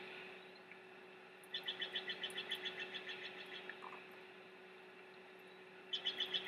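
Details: A bald eagle chick, one of restless chicks at a Big Bear nest keeping their mother awake, gives a fast, high, squeaky chitter of about a dozen notes over two seconds, then starts again briefly, over a steady low electrical hum.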